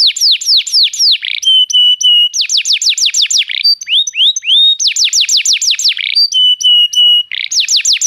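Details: Canary song for stimulating a silent bird to sing, built of alternating phrases: quick descending whistled notes, flat sustained tones, brief upward slurs, with each tour repeated several times over eight seconds.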